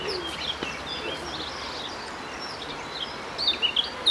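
Eurasian nuthatch giving short, sharp high chirps, scattered at first, then a quick burst of louder notes at the end, over a soft outdoor hiss.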